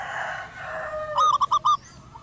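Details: Zebra dove, a wild local bird of the crystal-voiced "suara kristal" type, cooing busily while perched calmly atop a house roof. A single rapid phrase of five bright, bubbling notes follows a soft hum of background noise.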